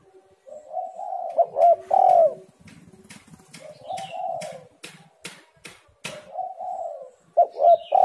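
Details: Spotted dove coos used as a lure to make lazy birds call: soft cooing phrases alternating with loud accented coo notes, plus sharp clicking taps in the middle.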